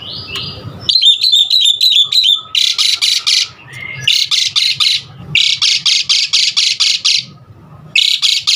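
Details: Song of an Asian pied starling, played to encourage other starlings to sing, starting with a whistle and quick chirps, then dominated by loud harsh rasping bursts repeated several times per second in groups, broken by short gaps.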